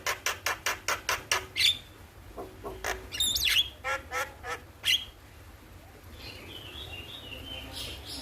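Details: Morning starling recording used as a master for singing birds: eight evenly spaced loud clicks open, followed by scattered harsh calls and whistles, then a faint high warbling run to close.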